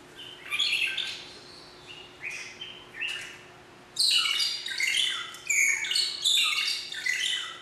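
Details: Captive magpie shrike at Philadelphia Zoo singing: loud, shrieking, chattering phrases of harsh high notes, sparse at first, then a dense run of rapid bursts repeated roughly every half second, over a faint constant hum.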